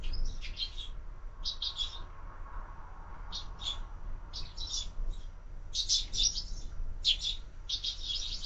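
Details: Sparrows at a window feeder in the morning: short groups of crisp high chirps repeated every second or so, becoming more frequent in the second half.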